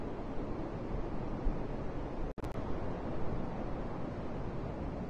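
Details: Heavy low-pitched wind rumble throughout, with a short gap of near silence just past the halfway point and no calls.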